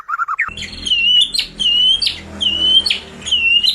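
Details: Singing murai batu (white-rumped shama), vigorous fill-in song used to get silent birds singing again: a few quick chirps, then clear whistled notes alternating with harsh rasping bursts about once per second, over a steady low hum.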